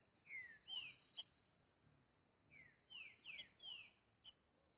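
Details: Green-winged saltator singing outdoors in boiadeiro style: two bursts of bright whistled notes that slide downward, the second burst longer with three or four notes, plus a thin continuous high whine.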